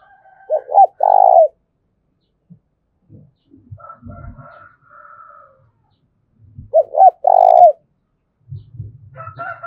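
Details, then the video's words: Spotted dove cooing, a recording used to rouse wild doves into calling for luring: two loud phrases of two short rounded notes and a longer held coo, about six seconds apart, with softer steady tones and faint knocks between. "tiếng cu gáy thúc bổi"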